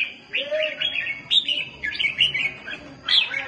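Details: Fighting red-whiskered bulbul gives short phrases of clear, bright whistled notes, some sweeping up or down, separated by brief pauses, with one lower rounded note early on.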